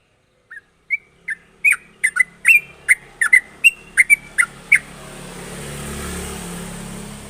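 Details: Sooty-headed bulbul giving sharp, lively song used to stimulate other bulbuls: a series of short bright slurred notes, accelerating then stopping, followed by rising wind-like rushing noise.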